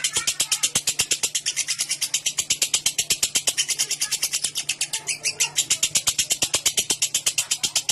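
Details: Clear ngekek from a lovebird, the long chatter used to coax other lovebirds into singing: fast, evenly pulsed harsh notes, roughly three each second, continuing steadily throughout over a faint low hum.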